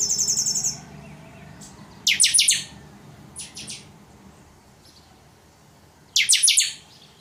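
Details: Chopi blackbird delivering totonsidonso-style song: a steady high trill at the start, then two loud bursts of quick bright chirps about four seconds apart, with soft notes between.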